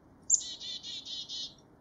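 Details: Black-capped Chickadee call from North America: one sharp, high note followed by four or five quick, buzzy, lower notes in a clear chick-a-dee-dee-dee pattern.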